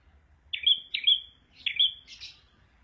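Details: Prenjak abang (prinia) delivering three quick sharp chirps with short whistled tails, followed by a buzzier, broader note; faint low background hum.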